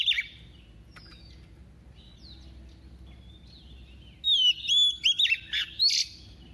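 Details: A female Oriental magpie-robin kept as a decoy sings in the double-voice style to rouse males; soft scattered whistles give way to a loud run of ringing, wavering notes with sharp flicks near the end.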